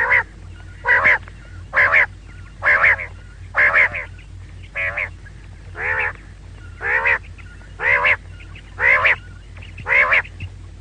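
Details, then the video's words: Female quail, locally called maadi batair, giving a nasal, harmonic call repeated about once a second in a steady series of eleven notes over a low background hum. "female quail call maadi batair ki awaz"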